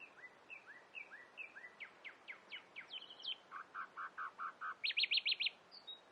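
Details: Common nightingale mimicking a variety of birds: repeated rising whistles and downward slurs give way to a run of low, hollow notes. A burst of fast high rattling phrases follows, all over a constant soft hiss.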